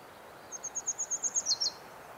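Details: Willow Warbler song from the Geilo area, Buskerud County, Norway, in early summer: about ten thin, high notes repeated evenly, growing louder, then stepping down into a couple of lower slurred notes at the close.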